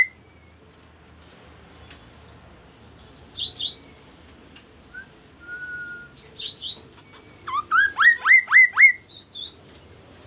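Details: Singing magpie-robin (murai): clusters of high chirps separated by pauses, a flat mid-pitched whistle, then a closing volley of six loud rising whistled notes.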